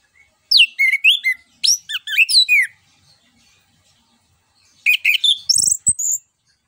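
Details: Ngeplong-style song of an orange-headed thrush, played as a lure to get other birds singing: two long bursts of sweeping, varied whistles and sharp chips, a silence, then a shorter whistled phrase with one soft thump.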